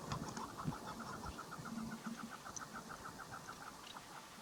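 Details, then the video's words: Calling female chukar partridge, a hunting lure bird, gives a quick series of brief, even, clipped notes, several per second, fading slightly toward the end against a constant low background hum. "Dişi Keklik Sesi Dinle Meri Keklik Ötüşü Dişi Keklik Av İçin Kızgın Dişi Keklik Sesleri"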